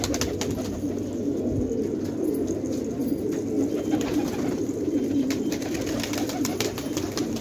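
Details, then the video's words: Many fighter pigeons at Khanabad in village Afghanistan keep up a dense low cooing murmur, with scattered sharp taps and clicks over it. "کفتر های جنگی پرشی در خانه آباد"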